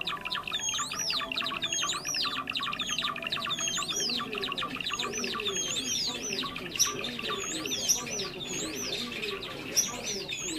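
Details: Java sparrow sound used as a trapping lure, a bird of rice fields and farmland: steady high chirping with looping whistled notes repeated roughly twice a second, over a faint lower murmur.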